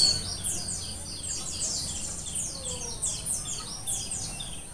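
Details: Mountain white-eye of the Merapi area, wild-caught, giving a continuous stream of high, rapid slurred twitters that falls and rises in short phrases, heard against steady background hiss and low rumble.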